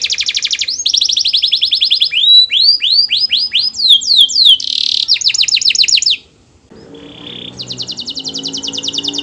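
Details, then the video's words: A canary sings a varied, melodious song to lure other canaries into singing. It runs through fast buzzy trills, looped whistles and a harsh burst, then pauses and returns with a steady rapid trill. "Suara burung kenari bernyanyi merdu yang lain awas ikut bernyanyi"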